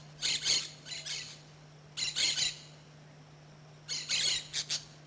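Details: Orange-chinned (brown-shouldered) Parakeets in Costa Rica, common in the area and noisy, give harsh, high, scratchy squawks in short clustered bursts, about every two seconds, over a steady low hum.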